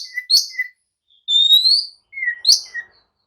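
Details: Oriental magpie-robin in agitated song, provoking others to answer and fight: a short, steady whistled note, a long rising whistle, then paired chirps and a brief falling whistle.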